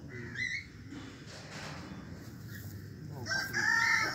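A peafowl gives a brief rising nasal note, then a loud, strident, ringing wail near the end, over background chatter and people talking.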